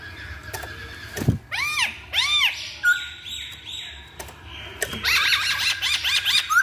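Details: Chinese hwamei (poksay Hongkong) on a lure recording: loud arched whistled notes repeated about twice a second, then flat buzzy tones and a fast burst of high chattering whistles, with a short click and faint background hum.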